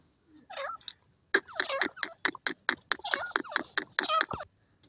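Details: Partridge calling: a soft bent opening phrase, then a loud rapid run of about a dozen short, harsh, harmonic notes, several with dipping or curling pitch sweeps, over a quiet background.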